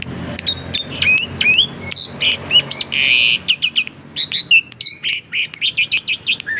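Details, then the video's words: Kept Asian pied starling giving a varied lure song to set other starlings singing: dense bursts of sharp chirps, short buzzy notes and quick whistled slurs, delivered in rapid pulses with brief gaps. "Burung Jalak Suren Super Gacor, Pancingan Jalak Suren, Jalak Suren Bunyi Variasi"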